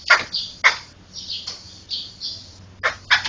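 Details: Laughingthrush (poksay) singing for songbird training: rasping broadband notes between softer hissing, high-pitched phrases, ending with two sharp bursts close together, with a low background hum.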